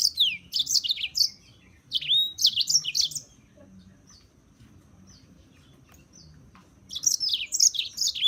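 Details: A European serin gives repeated bursts of high, fizzing, jingling song with sharp downslurred notes, separated by a lull with a few faint soft chips.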